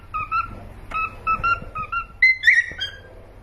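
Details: Pet cockatiels give short paired whistled notes in quick bursts, then a higher, longer whistle near the end.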